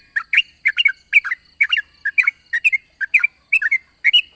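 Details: Morning song of a yellow-vented bulbul used to coax young bulbuls into singing: lively burbling phrases of short chirped notes, about two per second, loud and clear on a quiet background.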